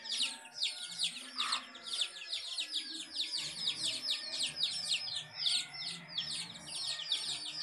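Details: Many chicks with a house hen keep up steady, bright, high peeping in quick succession, and a single lower note sounds early on.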